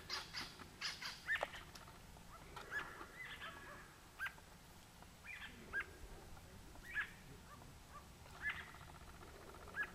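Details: Grey-crowned babbler recorded at Coolmunda Dam, Inglewood, Queensland, Australia, with a compact camera: clipped mid-pitched call notes spaced about every one to two seconds, some rougher chatter early on, against quiet rural background hiss.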